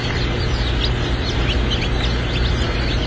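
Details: Turken chicks hatching at a hatchery in Lebanon, Missouri: a crowd of short, high, falling peeps overlapping continuously, with a constant deep mechanical hum underneath.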